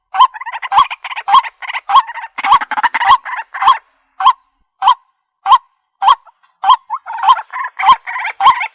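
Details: Waterhen, a recording used in bird trapping: a run of hoarse honking notes, first in quick clusters and then spaced singly about every half second, clear and close with a quiet background.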